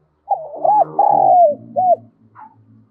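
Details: Decoy spotted dove cooing to draw wild doves in to fight: a single low, hollow three-part phrase with a faint low rumble underneath and a short high squeak after.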